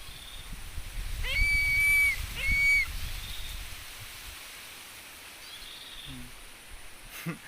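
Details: Philippine eagle being stroked from head to foot gives two short, piercing, level whistles, each opening with a rapid upward slur. Rustling, handling noise and low rumble follow, with a faint click near the end.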